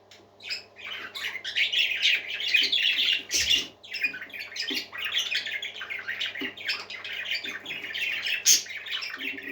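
Parakeets chatter continuously in bright, high warbles and squawky chirps, several birds overlapping in a busy, unbroken stream.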